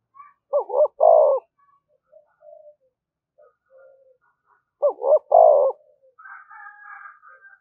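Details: Spotted dove decoy goading rivals to fight: two identical coo phrases about four seconds apart, each two short notes followed by a longer falling coo, with faint scattered background calls and a higher buzzy sound near the end.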